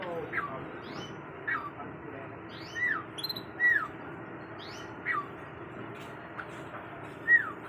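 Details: A bird singing outdoors: faint, thin chirps and quick down-slurred whistles scattered every second or so, rising above a steady hiss of broad background noise.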